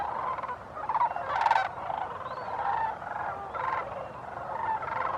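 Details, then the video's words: Wintering flock of sandhill cranes at Bosque del Apache refuge, New Mexico, recorded 9 December 2015; layered trumpeting, gargling calls from numerous birds, with several sharp, loud rattling bursts rising above the constant crowd chorus. "Sandhill Cranes (Bosque del Apache NWR)"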